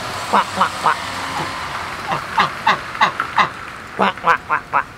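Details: Two pet domestic ducks kept at home give short, nasal quacks in loose bursts of two to four, about fifteen in five seconds, with a little background noise.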